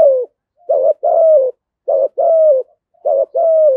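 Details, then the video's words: Lure spotted dove, 'thúc gù' cooing in a deep 'giọng thổ' voice: three rapid phrases, each a short note followed by a longer, gently falling coo, about one phrase per second, close and clean. "Chim Cu Mồi Thúc Gù, cu gáy giọng thổ hay"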